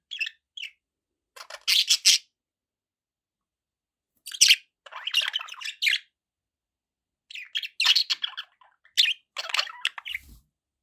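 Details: Several bursts of bright, harsh chirps and warbled chatter from pet budgerigars, arriving in clusters with gaps of silence between them and a faint low thump near the end.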